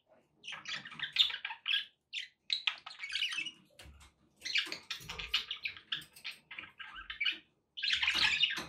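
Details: Pet budgerigars chattering to keep a parrot company and encourage it to eat and sing: dense bursts of scratchy warbles and bright chirps, broken by short pauses, with a few harsher squawks and faint low thumps.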